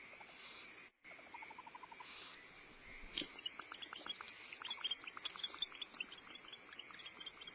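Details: Starr Ranch barn owls feeding owlets at the nest on 14 February 2011, male delivering prey; a short descending series of ticking notes, then a busy scatter of sharp clicks and scratchy sounds.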